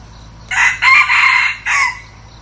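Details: Red junglefowl cock used as a decoy to lure wild birds gives a loud crow: a brief opening syllable, a drawn-out middle section with a slight dip, a gap, then a short trailing end note.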